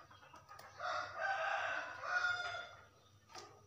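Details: Hen calling the rooster with a ngekek call; a drawn-out, rough, wavering cackle rising and falling over about two seconds, followed by a short sharp note, with steady low background hum.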